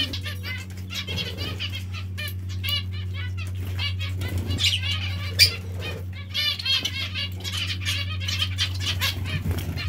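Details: Zebra finches or Bengalese finches kept indoors at bath time: a steady stream of short nasal, harmonic calls from several birds overlapping, with bursts of wing flapping and splashing over a constant low hum.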